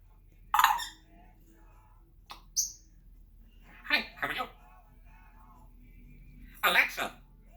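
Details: Pet African grey parrot producing speech-like mimicry: short bursts of talking with a brief high whistle between them, separated by pauses, in a quiet indoor room.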